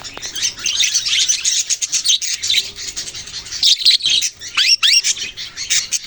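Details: Budgies chirp and warble in rapid bursts, with a few sharp downward-sweeping notes near the end and brief gaps between the bursts.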